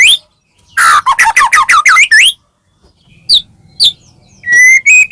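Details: Medan white-rumped shama in full song with rich filler phrases, used to provoke other shamas: a rising whistle, a rapid burst of varied slurred notes, two sharp high squeaks, then a steady whistled note rising at the end.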